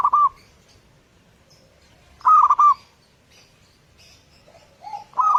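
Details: Morning lure song of a local zebra dove with a clear voice: a clipped phrase at the start, then a full burst of rolling coos, and a final phrase opened by a lower lead-in note.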